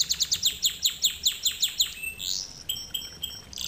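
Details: Canary song lesson: a quick run of sharp downward-sweeping notes roughly four per second, a rising-falling slurred note, then short high piping tones.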